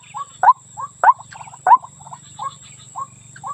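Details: Calling female white-breasted waterhen summoning the male, used as a lure: three loud hooked notes in quick succession, then softer repeated notes spaced about half a second apart, low hum beneath.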